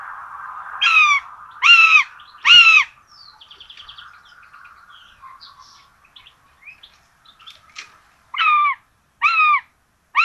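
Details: At a Hungarian nest in Tiszalök, 26 June 2022, common buzzards with two chicks and a rabbit breakfast; six clear, harmonic mewing calls in two groups of three, separated by a soft low hum and small-bird twitters.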